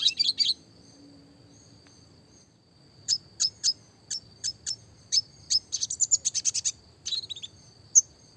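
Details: Classic red siskin for small-bird song training: a short twitter, a long silence, then sharp single chirps spaced about every half second building into a quick rolling burst.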